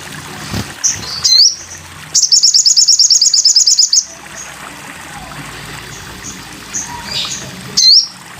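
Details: Sogon bird in a tutor recording for training cage birds: a high rising whistle, then a rapid, evenly spaced trill of sharp high notes, then quieter chirps and a final upswept whistle.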